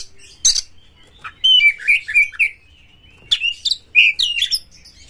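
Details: Caged white-rumped shama, or kacer, singing coarse varied material used as a prompt for other shamas: a sharp burst, a chain of looping whistles, then renewed chattering phrases after a pause.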